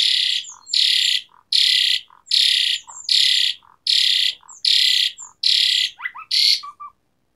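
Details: Jalak suren gacor with tembakan fills: eight loud harsh rasping blasts in steady rhythm, each trailed by a low soft note, ending with quick falling whistles and short clucks.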